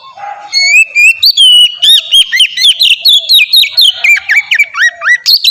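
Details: Oriental magpie-robin singing in the ngeplong style, a melodious song used as a lure to get other magpie-robins singing. A soft nasal note opens, then a fast, loud stream of varied whistled phrases that slur up and down, about two per second.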